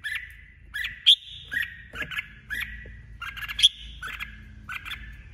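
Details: Female red-whiskered bulbul decoy in competitive song. It gives a steady series of short warbled phrases, each a falling whistle with a sharp high accent, roughly every half second.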